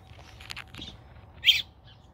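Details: Young robin calling out for its mother, a few soft high chirps early on followed by a single strong, piercing squeaky call, over a quiet low hum outdoors.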